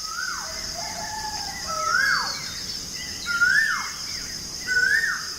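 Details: Bird chirping at dawn: several long whistled notes, each climbing then dropping off steeply, repeated roughly every one and a half seconds, with softer lower whistles beneath and faint hiss.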